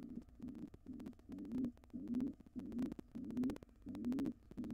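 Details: Wild pigeons inside a nest box, an intruding pair attempting a takeover after the resident pair's nestling fledged. Quick series of low, bubbling coos, almost two per second, with light tapping sounds.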